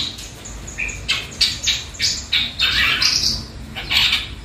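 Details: Caged juvenile long-tailed shrike chattering steadily just after rings were fitted on both legs; harsh, scratchy broadband notes come in quick bursts, about ten in under five seconds, with other caged birds faintly around.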